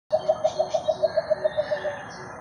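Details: Two Philippine coucals meeting up on January 21, 2021; one gives a quick run of about a dozen deep, hollow hoots, roughly seven a second, fading slightly toward the end, over quiet background hiss.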